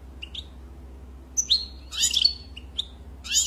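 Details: European goldfinch giving short high chirps and a brief burst of twittering notes, with a soft low hum in the background.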